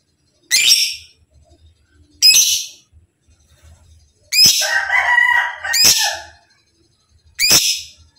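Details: Kept lovebird, in material for training other lovebirds toward ngekek and ngetik singing: harsh, shrill chattering calls in five bursts, with a longer run of mixed squeaky notes near the middle and quiet gaps between.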